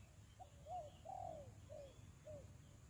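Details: Spotted dove used as a decoy to lure wild doves for bird trapping: soft, mid-pitched coos in a short series, each slightly rising then falling, over faint low background rumble.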